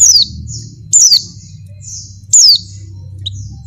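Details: Three loud, thin, high notes sliding downward, spaced about every 1.2 seconds, given by an Oriental white-eye female in breeding condition calling a male, with softer high notes between and a faint low hum.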